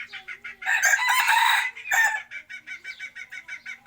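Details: Chicken giving a loud, rasping crow lasting over a second, then a clipped second note. After that come quick, regular clucking pulses, about two per second.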